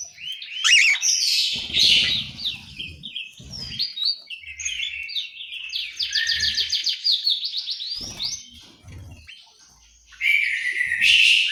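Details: Orange-headed thrush in an aviary in Malang, East Java, delivering rich, varied song phrases of quick whistles and rapid trilled runs, with a brief lull before a loud final burst and soft low knocks in the background.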